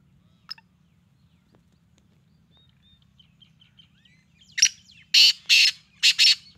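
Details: Black francolin kept as a hobby bird in Karachi, Pakistan, giving a short burst of four to five loud, harsh, grating notes in quick succession near the end, after a quiet start with faint high chirps from small birds.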